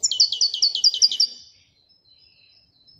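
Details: Wedania-style song of a Moroccan goldfinch: a quick string of about eight bright, bouncing double notes that fades into soft twitters, ending with one sharp chip.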